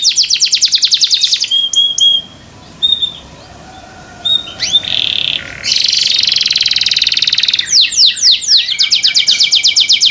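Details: Captive canary song with quick repeated chattering trills, a pause, then bursts of buzzy rolls and sweeping downslurred notes leading into fast steady trilling.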